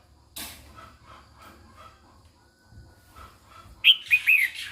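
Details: Female red-whiskered bulbul singing to stir up males: soft rustling and faint bumps, then a sudden loud three-note whistled phrase at the end, short rising chirp then two wavering notes.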